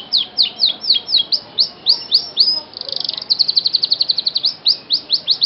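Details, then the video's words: Canary song played as a lure to get reluctant canaries singing; rapid series of high, downslurred whistled notes, about four per second, with a fast trill in the middle, then the notes resume. "pancingan kenari males bunyi"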